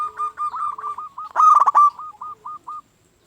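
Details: Local zebra dove singing as a lure to get other doves calling back: one continuous phrase of quick repeated coo notes swelling into a loud stuttered middle, then slowing into separate soft notes that stop abruptly.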